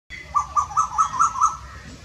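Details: An Asian koel in R.S. Pura, Jammu and Kashmir, sings a quick run of six clear, slightly rising notes, about five per second, over a faint low background hum.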